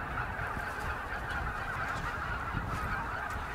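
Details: A flock of snow geese calls in fields near Jasionowo, Biebrza National Park, Poland, at the end of March 2011. Their dense, steady chorus of overlapping nasal honks has no pause, over a low background rumble.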